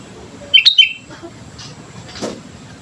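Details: A brief phrase from a vigorously singing sooty-headed bulbul, used as a training lure: three crisp, bubbly whistled notes in rapid succession, then quiet background murmur.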